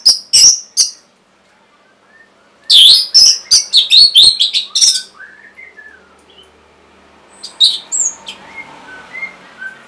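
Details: Caged orange-headed thrush song used to lure lazy birds into singing: rapid, loud chattering whistles in two bursts, then fainter, lower, sweet whistles from another bird in the background.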